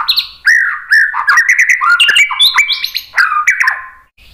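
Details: White-rumped shama song, used as a lure to make other birds answer and sing: a rich, continuous run of whistled phrases, sliding and stepping up and down with quick chips and sharp high notes mixed in, loud and clear throughout.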